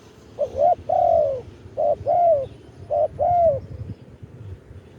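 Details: Live-recorded spotted dove crowing song meant to call wild birds: three even phrases about a second apart, each a brief double coo leading into a longer, gently falling coo, with soft low background noise.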